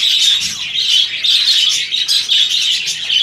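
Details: A mating budgerigar in breeding season gives close, loud warbling: rapid high chirps and scratchy trills strung together almost without pause, with short gaps near one and two seconds.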